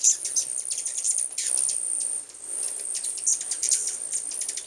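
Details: Many hummingbirds present together give quick, high, clicking chips and short twitters in uneven bursts, with a brief lower swooping sound and an unbroken high whine in the background.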